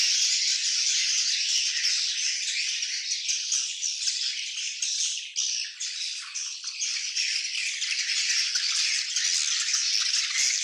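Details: Many swiftlets in a colony producing a thick chorus of rapid, scratchy high twittering, swelling and ebbing slightly, with a brief dip around the middle.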